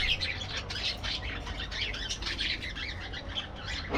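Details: Aviary parakeets chattering: busy, even-paced twittering and scratchy chirps with no pauses, a bit softer and more diffuse, over a constant low background hum.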